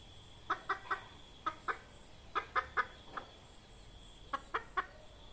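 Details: Red junglefowl hen used as a lure in trapping: sharp clucks in small bursts of two or three, spaced by short pauses, a dozen or so in all, over a steady faint hiss.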